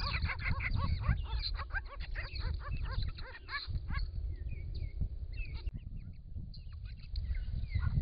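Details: Grey-crowned Babblers, a wild group of six in regional Victoria, Australia, calling to each other while diving in and out of a pond on a hot day, camera trap: fast harmonic chattering for three seconds, then scattered notes amid low splashing noise.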